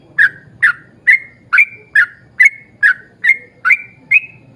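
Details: Eleven short, sharp whistled notes in a steady series, a little over two per second, from a yellow-vented bulbul singing a long lively run used as a lure for other bulbuls; soft low hum behind.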